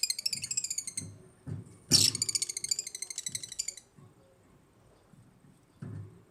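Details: Rapid runs of shrill, rattling chirps from African lovebirds, one loud harsh burst in the middle, then a quiet stretch with soft low thumps and a final faint chirp.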